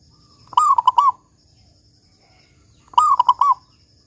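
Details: Zebra dove of local stock, lively, with a big 'kung' voice, used as a lure so other doves start singing: two ringing phrases about two and a half seconds apart, each a sliding coo followed by rapid stuttered notes.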